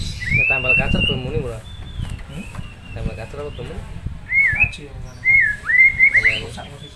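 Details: White-rumped shama in full, lively song, a recording meant as a master song for training other birds: clear whistled phrases around the upper-middle range, rising and falling slurs and short warbles, with a person speaking in the background.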